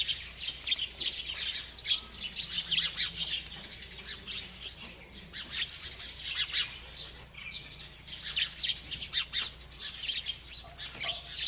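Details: Bird eating and chirping nonstop: dense, high twittering chirps in lively bursts throughout, with a soft lower warble mid-way and faint background hum.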